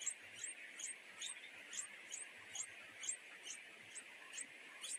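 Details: Hungry nightingale chicks, a pair in a wild nest, pleading with their mother to be fed: a steady series of high, thin chip notes, roughly two per second. A continuous insect drone fills the background.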